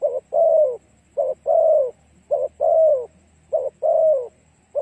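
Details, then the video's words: Spotted dove cooing, used as a lure to draw in other doves: three phrases, each a short clipped coo followed by a long, loud, gently falling croo, with a faint steady hum behind. "Cu gáy kích mồi tập bổi hiệu quả nhanh"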